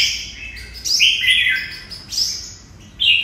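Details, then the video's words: Red-whiskered bulbul singing in the style known locally as 'hút mật', from Vietnam; bright whistled phrases that sweep up and down, in bursts about a second apart, with a quiet background. "Đẳng cấp Hút mật của Hiệp Đồng Nai"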